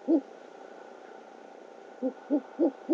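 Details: Great horned owl, male delivering a rodent to his mate at a nest camera in OKC, night of 12 February 2013 about 9.30 PM; steady hum, then four short low hoots in quick succession near the end.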